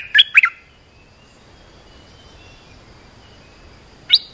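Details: Olive-winged bulbul lure call: a quick pair of bubbly whistled notes, then silence and one sharp rising note near the end.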